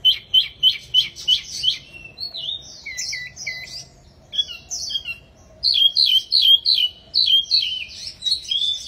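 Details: Mini wambi, a caged songbird, singing a lively varied song: quick repeated high chirps in bursts, then slurred whistled notes and buzzy phrases, loud and fast with a faint low background hum.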